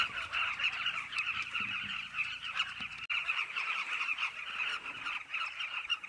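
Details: Many Carmine bee-eaters calling together at their cliff colony, a constant mass of clipped, throaty trilling notes layered thickly without any break.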